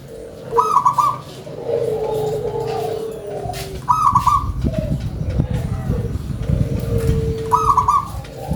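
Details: Local zebra dove in full song: a bright, stuttering coo opens each phrase roughly every three seconds, then softer drawn-out coos follow, over a low rumbling background noise.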